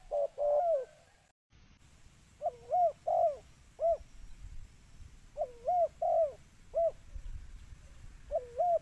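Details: Spotted dove call for luring birds, made of low hollow coos in groups of two or three, the last note falling, with short pauses between phrases and a brief dropout near the start.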